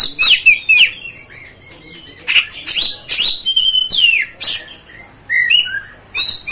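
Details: Oriental magpie-robin (kacer) song for stirring up other kacers: varied whistles and rasping notes in irregular bursts, including a long falling whistle, with short pauses between phrases.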